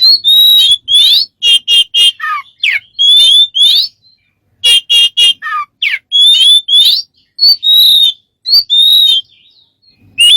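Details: A smart bird repeating strange sounds: a set phrase of a rising whistle followed by rapid stuttering notes and a dropping slur, given several times with pauses of about a second between runs.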